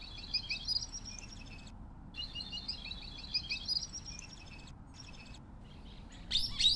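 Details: Scimitar-billed woodcreeper (Drymornis bridgesii), native to south-central South America: bursts of high, rapid chirping notes in clusters, pausing briefly, over a steady low background hiss, with a louder burst at the end.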